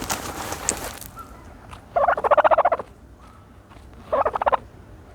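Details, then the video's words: Turkey dust bathing: scuffing noise at the start, followed by two bursts of rapid gobbling, the first longer, the second shorter. "the special noises of a turkey bathing in dirt"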